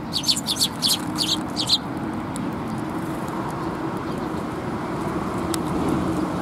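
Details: Sparrows approaching for food at a Tenmangu shrine, 8 October 2021: a brief flurry of about eight high chirps in the first two seconds, then only a steady low hum like passing traffic.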